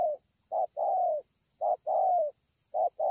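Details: Spotted dove, a wild-caught bird with a scarred chest, recorded at Ngọc Hồi on 25 March 2020, cooing strongly: short low note then a longer slightly falling coo, phrases repeated about once a second, over a steady high hum.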